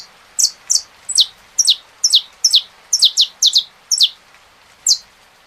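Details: Saffron finch song with rain: loud, high, descending chips, some in close pairs, delivered in an uneven rhythm with a short gap before the last note.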